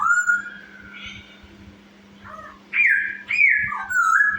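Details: Chinese hwamei in lively song, played as a lure to provoke other birds: a long steady whistle, then after a pause loud rising and falling whistled phrases in quick succession, with a constant low hum behind.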